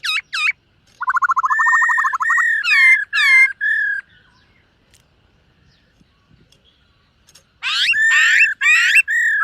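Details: Silver-eared laughingthrush singing in the morning during voice training: loud clear whistles, then a rapid rattling trill of about a second and a half, then upslurred whistled notes. A near-silent gap follows before a burst of rich, fast whistled phrases.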